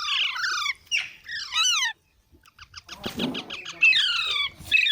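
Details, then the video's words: Baby parrots giving harsh falling squawks, a brief silence, then a rapid pulsed chatter followed by further scratchy descending calls. "Baby Parrots Sounds"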